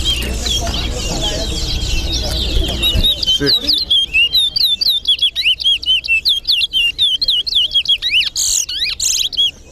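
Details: Chestnut-bellied seed finch, known in Guyana as towa towa, singing in a bird competition between east side and west side; rapid repeated whistled notes with sharp upward and downward slurs, preceded by a noisy murmur of people and background sound.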